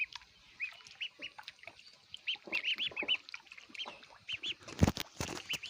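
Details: Ducklings eating food give high, arched peeps in quick runs of two or three, repeated throughout, with sharp clicks and pecking taps among them and a loud clatter near the end.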